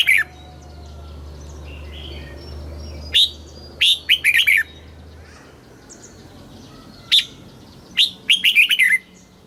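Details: Thai red-whiskered bulbul in the southern master song style, played to excite caged birds and teach young birds: scattered single whistles and two quick runs of warbled notes, with a low hum early on.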